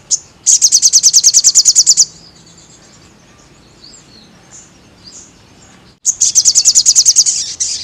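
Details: Energetic gacor song of a crested jay for training caged birds: a loud, shrill, rapid rattling trill of around fifteen evenly spaced notes, a pause with faint distant chirps, then another rattle of similar length.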